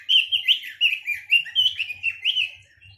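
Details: Loud, continuous song of a Chinese hwamei: a quick flow of melodious whistled and warbling phrases, each note slurring up or down, delivered without pause, with faint low knocking in the background.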